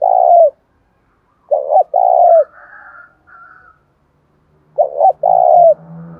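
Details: Fighting-keyed spotted dove in the rainy seventh month, repeating its call of two clipped notes and a long sliding coo, with a brief high chirping and a low hum between phrases.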